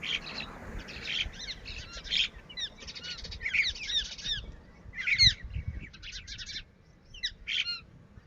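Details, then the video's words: Red-wattled lapwing young (Titehari) with a busy run of sharp, downward-slurred squeaky notes in clustered bursts, pausing briefly before a few final calls. "Red wattled (Titehari)Baby|Bird sounds|Cute Titodi Baby|"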